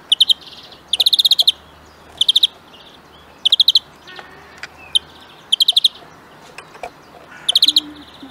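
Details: Greenfinch in a huylandırma recording sings loud, fast trilled bursts of five or six metallic notes, about every second, with short gaps. Faint clicks and a low background hum come between the phrases.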